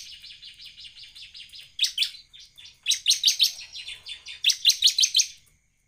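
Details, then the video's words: Bar-winged prinia singing vigorously, as a lure for other prinias: a steady run of soft high chips, then louder, sharp, rapidly repeated notes in two quick clusters before fading. "CIBLEK GACOR buat pancingan ciblek AGAR NEMBAK"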